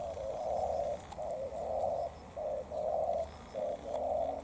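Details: Spotted dove decoy with a docked tail dueling a wild dove: low mellow coos repeat in pairs, a short note then a longer rolling one, about once a second, over faint rural background.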